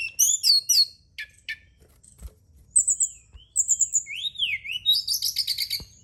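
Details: Brown-chested jungle flycatcher singing in a night-time therapy recording for stimulating song: tumbling high notes, a few clipped chips, then drawn-out whistles and a rising-falling slur leading into a quick rattling phrase.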